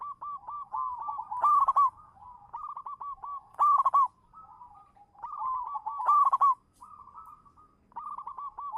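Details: Local champion zebra dove lure bird singing almost without pause: steady runs of soft, rolling, stuttered coos, punctuated by louder trilled bursts roughly every two seconds.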